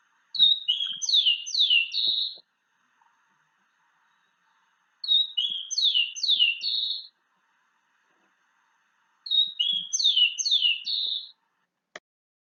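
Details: Rufous-collared sparrow (chincol) of central Chile singing three times, about every four seconds: a high whistled phrase of slurred notes and a short trill, likened to "have you seen my uncle Agustín?"; faint clicks.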